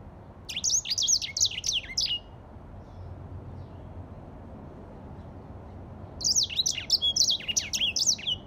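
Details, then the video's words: Grey singing finch singing in two brief outbursts of rapid chirpy warbling, with a long silent gap between them. "تغريد ياسمين رصاصي افريقي chanteur "d'Afrique"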